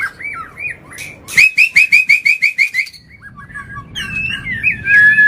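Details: White-rumped shama in agitated, non-stop song used as a lure to provoke other birds: curling whistles, then a fast run of about eight identical rising chirps, then looping whistled phrases ending on a level note.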